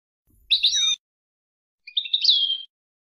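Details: Tutoring song of a European goldfinch for teaching young birds, 2020: a brief tangle of high twitters, then a clear whistled phrase that swoops up and slides down, with a short pause between.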